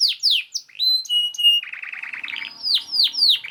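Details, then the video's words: Canary singing as a master song to teach other canaries, with sweeping downslurred notes, two level sustained whistles, a low buzzy rattle, then a series of steeply falling high whistles. "KENARI GACOR SPEED RAPAT UNTUK MASTERAN KENARI ANDA #24 || VOICE OF CANARY"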